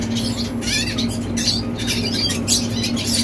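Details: Short passage of song from a young red siskin: rapid high twitters and thin buzzy notes over a low, humming drone.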